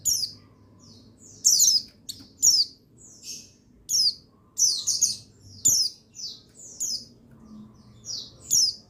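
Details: Male buxtoni white-eye, recorded to rouse other white-eyes to song: a lively series of short, high, downward-sweeping chirps and twitters repeated about every half second to second.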